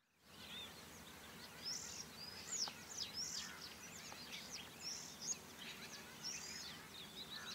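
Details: Little ringed plovers during mating rituals give high, thin, down-slurred piping notes, roughly one each second, over a low steady background rumble.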